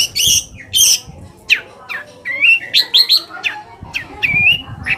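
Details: Long-tailed shrike singing as a lure meant to make other shrikes answer angrily: two rasping bursts open, followed by sharp downslurred whistles and a few rising, wavering whistled notes, clean background.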